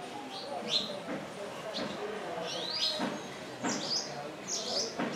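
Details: Wire-tailed swallows on a lodge roof in Pangani, Tanzania, giving short sharp chirps and rising-falling twittering notes at irregular intervals, with people talking in the background.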